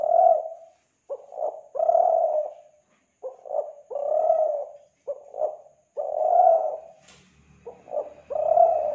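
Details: Kelantan spotted dove lure call for attracting doves: a steady series of low, hollow coos, short double notes alternating with longer drawn coos, roughly every two seconds; a faint low rumble near the end.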